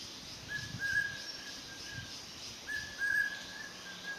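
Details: Dark hawk-cuckoo (Hierococcyx bocki) gives two drawn-out, mid-pitched whistled phrases about two seconds apart, each stepping slightly higher, over faint background hiss.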